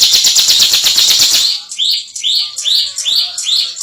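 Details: Bar-winged prinia (ciblek), a contest-winning singer, opens with a dense buzzy ngebren trill, then gives a string of bright, slurred, rising-falling whistled notes repeated roughly three per second.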